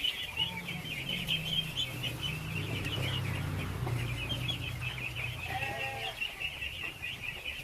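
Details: Baby ducks in a huge flock being fed, a steady shrill peeping chorus over a low droning hum, with a lone lower harmonic call near the end.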